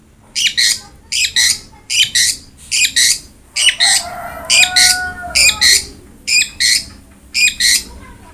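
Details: Cendet, the long-tailed shrike, in a masteran recording meant to get a reluctant bird singing: harsh buzzy chattering notes repeated roughly every second in an even series, with soft background tones.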